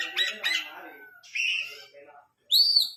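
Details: Long-tailed shrike singing vigorously in a full 'tembakan' style with mimicked 'isian' notes, used to tutor competition songbirds: harsh buzzy bursts, then a rising whistled phrase and a sharp high upslurred note.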